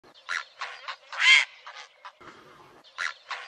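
A heron gives harsh, raspy squawks in short irregular bursts, about seven in three and a half seconds, the loudest a longer grating croak near the middle.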